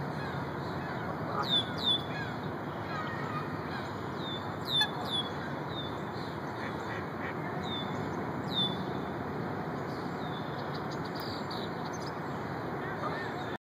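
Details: A red-winged blackbird at the South Pond in Chicago's Lincoln Park, harassing a fishing heron, gives short, sharp, high call notes a few seconds apart over a steady rushing background of wind or water.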